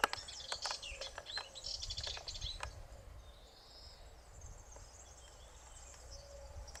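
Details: Barn swallow: thin, high twittering and chirps in quick bursts, busiest over the first three seconds and then fading, set against a steady low rumble of background noise.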